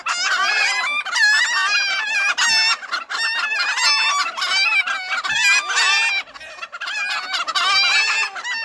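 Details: Many roosters crowing together, loud overlapping raspy crows with rich harmonics, one after another with hardly a pause.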